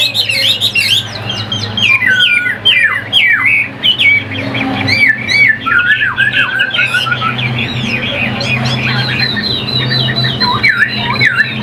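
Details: Chinese hwamei, a Vietnamese cage songbird, sings a long, non-stop medley of sharp whistles, twisting slurs and rapid repeated notes over a low engine-like rumble.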